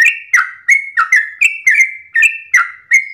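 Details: At dawn, a sooty-headed bulbul sings in the long 'ropelan' style: clear whistled notes sliding downward, run together quickly at roughly three per second, clean with no background noise.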